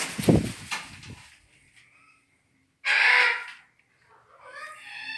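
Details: A single harsh, grating screech from a red-tailed black cockatoo of the subspecies banksii lasts under a second, with thumping noises before it and a softer harmonic call after.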